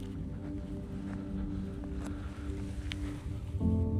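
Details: Soft sustained music with low tones plays throughout, and a new chord enters near the end; no animal sounds.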